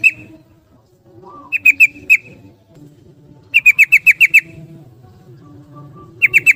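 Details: Yellow-vented bulbul in lively ropel singing style: short bursts of four to seven ringing, harmonic-rich notes repeated quickly, separated by pauses of over a second, over a faint low rumble.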